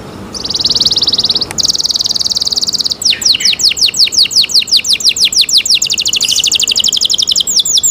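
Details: Canary song opening with a long, even high buzzy trill, then a brief break into a steady run of sharp downslurred notes that speed up into a rapid rattling trill.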